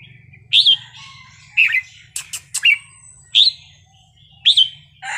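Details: Red-whiskered bulbul wild-style song: clear, rising whistled phrases about a second apart, broken by a few sharp clicks, with a low hum in the background.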